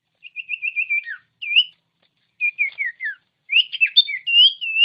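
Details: Common iora song played to stir reluctant birds into singing: a quick run of short repeated whistled notes, then varied slurred phrases with rising sweeps, ending in a dense burst of high twittering.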